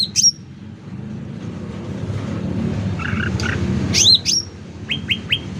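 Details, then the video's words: Sooty-headed bulbul singing, recorded loud for luring and tutoring: an opening high whistle, faint buzzy notes, then paired sharp downslurred whistles and three short clipped notes, over a low traffic-like rumble. "Suara Cucak Ranting Gacor Volume Keras"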